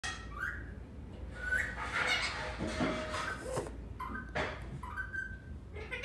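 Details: Pet parrot imitating a Snapchat sound: short whistled tones, some rising, others held level, spaced across a few seconds over steady background hiss and broadband household noise.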